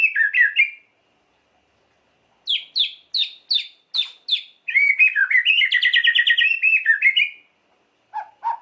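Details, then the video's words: White-rumped shama song meant to provoke emotion: a short twittering phrase, a series of sharp repeated high notes about half a second apart, then a long rapid warbling trill and a final brief phrase. "Lengkingan KICAU MURAI yang satu ini wajib disimak untuk pancingan emosi Murai Batu"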